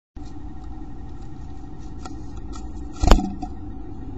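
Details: Steady low car engine rumble with a sharp metallic clank around the third second and no animal voices.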